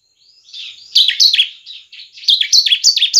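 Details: Bar-winged prinia singing fast and loud, a lure song for training other birds: a soft rising whistle, then a series of sharp, high, downward-slurred chirps repeated rapidly.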